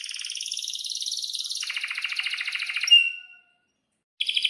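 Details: Canary kenari giving long rolled song to train young birds: high buzzy trills shifting down in pitch, a thin whistled note, a short silence, then a bright trill restarts.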